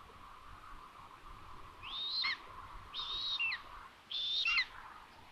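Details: Three thin, descending mewing calls from a common buzzard at a nest in Tiszalök, Hungary, in June during food delivery, set against a steady background hum and hiss.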